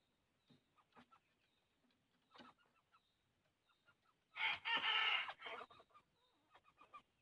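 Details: Purebred wild red junglefowl crowing: a loud, harsh, hoarse burst of about one and a half seconds, broken into a few ragged syllables. Faint scattered clucking notes come before and after it in a quiet setting.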